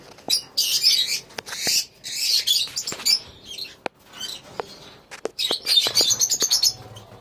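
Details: Colony of lovebirds with bursts of harsh, high squeaky chatter alternating with clicks and fluttering noises, then a final run of rapid shrill chirps.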